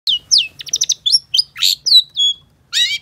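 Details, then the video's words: Long-tailed shrike song used as a lure to get other shrikes singing: rapid varied phrases of sharp descending whistles, short chattering bursts and a buzzy harsh note, about a dozen elements in quick succession, clean with no background sounds. "Pancingan Cendet Gacor Cocok Buat Masteran Cendet Macet Agar BUNYI"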